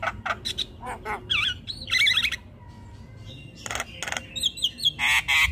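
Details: Javan myna chattering without pause: harsh rasping bursts mixed with twisting, warbled whistles and squeaky notes, a brief quieter gap midway, then more loud grating bursts and high whistles, low hum underneath.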